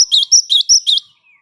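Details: Java sparrow in lively song intended to trigger singing in other birds: five quick, bright alternating chirps within one second, fading into a faint thin whistle.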